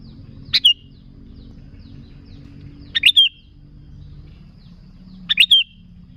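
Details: Sooty-headed bulbul song meant as a lure for bulbuls: three separate bursts, each a pair of sharp chirps ending in a short whistle, spaced about two and a half seconds apart in a quiet setting.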